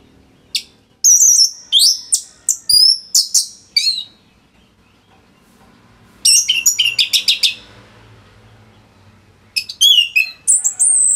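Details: Anis merah, the orange-headed thrush, sings in dense bursts of piercing high whistles and sweeping slurs, with quiet gaps between three separate phrases; the recording serves as a training model for other songbirds.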